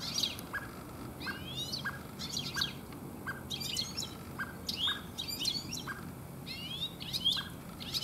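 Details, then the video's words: European goldfinch singing in a garden in late afternoon, one of many goldfinches there this year; bright, high twittering bursts with buzzy, slurred notes come every second or so, each paired with a short lower note, over a soft low rumble. "European Goldfinch singing in my Garden - Stieglitze singen"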